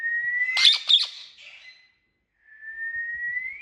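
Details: Indian ringneck parrot giving a long, steady whistle that slowly rises, broken by two harsh, loud squawks, then a short pause before another rising whistle.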